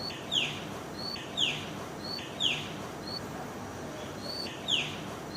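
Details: A songbird sings outdoors, repeating a sharp, high, downward-sweeping chirp roughly once a second, each chirp preceded by a short thin whistle, over a constant broadband hiss.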